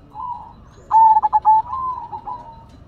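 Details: Silver zebra dove singing: a soft low coo, then a burst of quick pulsed notes followed by a long trailing purr that fades out.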